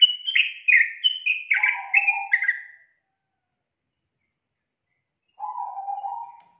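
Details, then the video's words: Yellow-vented bulbul lure song used to coax a reluctant young bird into singing: a rapid string of bright, slurred notes dropping in pitch with a lower warbled phrase beneath, then silence and one more low, throaty warble. No other sounds. "SUARA PANCINGAN BURUNG TRUCUKAN untuk memancing trucuk bakalan malas bunyi"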